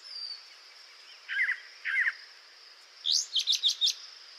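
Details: Brown thrasher song, from a species with up to about 2,500 phrases; this bird sang 40 seconds without repeating and no mimicry was recognised: two rich, husky doubled phrases, then four or five bright clipped notes; faint hiss.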